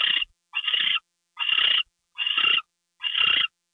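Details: At night on February 2, 2013, an owl brings a gopher to the nest. Raspy hissing bursts come in a steady series, five in under four seconds, each a broad noisy screech with short pauses between.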